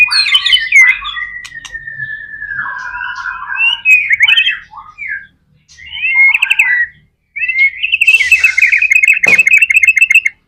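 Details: White-rumped shama singing vigorously: chattering bursts and a long descending slurred whistle, short pauses between phrases, then a fast, even rattling trill with a harsh rasp near the end.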